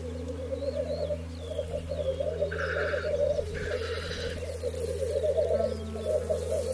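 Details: Black grouse cocks at a lek arena in 2023, where fights precede mating: a continuous low bubbling, rolling coo runs throughout, with a steady low hum beneath and brief brighter hissing bursts around the middle.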